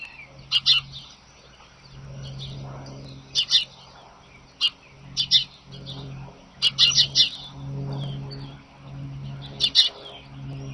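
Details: Bald eagles at a Sidney nest on a March 25, 2011 morning, picked up by a nest camera: bursts of high, squeaky chittering notes in short clusters every second or two, over a steady low electrical hum and faint calls from other birds.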